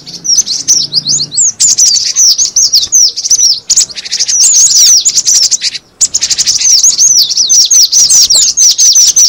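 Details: Cinereous tit lure calls: excited, high, scratchy chirps crowd together in a fast jumble, briefly interrupted twice, then pressing on just as densely.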